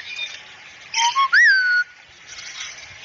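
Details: Talking cockatoo on a masteran training recording of "assalamualaikum": two short rising notes lead into one clear whistle that swoops upward and glides down into a steady held tone.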